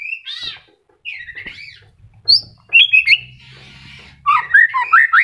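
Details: Moulting white-rumped shama, new feathers just starting to grow in, singing rich whistled phrases mixed with harsher squawky notes and quick rising slurs, over a faint low hum.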